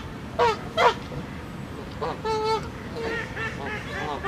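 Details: Canada geese angrily arguing and fighting within their flock: two loud nasal honks, then a drawn-out honk and several softer overlapping calls over a noisy, rumbling background.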